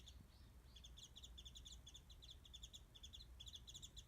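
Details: Warbling white-eye singing from high in a tree above a garden feeding spot where mandarin oranges are put out, filmed from a distance by phone: rapid twittering run of high, thin chirped notes in dense clusters, with low background rumble.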